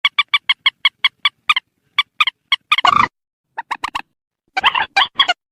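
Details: Screeching calls of a purple swamphen for night-time bird netting: a steady string of evenly repeated clucks about five per second, breaking into rough, harsh squawks and excited clustered notes.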